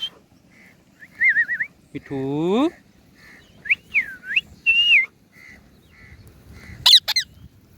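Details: Hand-tamed green rose-ringed parakeet sitting on a cow, kept as a talking bird that speaks Urdu and Hindi. It gives wavering whistled chirps and short whistles, with one harsh, voice-like sound and a sharp squawk.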